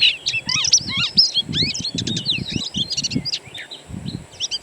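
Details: Singing from wild birds, used to coax an Oriental magpie-robin (kacer) into song: busy mix of upslurred whistles and quick chirps, with soft low rustling thumps underneath.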